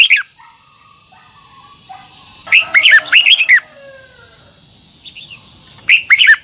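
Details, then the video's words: Twisted double-note song of a red-whiskered bulbul, old wild-caught style, used for voice training: three bursts of quick, rich, slurred whistles, separated by gaps holding faint sliding tones and a steady high hum. "Luyện giọng chào mào hót hay âm kép xoắn, ép chào mào hót âm kép già rừng hay tuyệt!"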